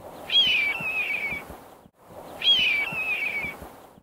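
A Red-tailed Hawk gives two hoarse, descending screams, each about a second long and two seconds apart, with a faint background hiss.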